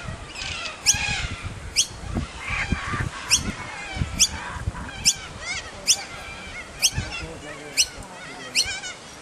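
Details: A young kookaburra makes its presence known while its family feeds it: sharp, rasping begging notes about once a second, repeated steadily over a low rumbling background.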